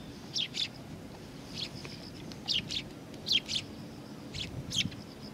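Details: Eurasian tree sparrows gathering at a Tenmangu shrine to be fed, 20 September 2020; paired sharp chirps come in clusters every second or so over low ambient noise.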